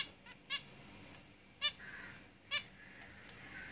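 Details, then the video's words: Zebra finches kept in a cage repeat clipped, nasal honking calls roughly once a second, with a thin high whistle from another bird drawn out between them. "Zebra Finches Singing in the cage"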